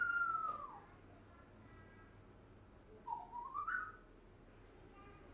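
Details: One-year-old pet African grey parrot giving a smooth falling whistle, a pause of about two seconds, then a rising, wavering whistle, in a quiet room.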